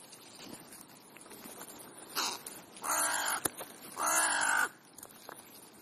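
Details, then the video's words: Afternoon crow gathering in Leipzig's Clara Zetkin Park, Germany: a short rough note followed by two long, drawn-out raspy caws, each lasting over half a second, with faint background calls. "Krähen-Vesper / Crow Vespers"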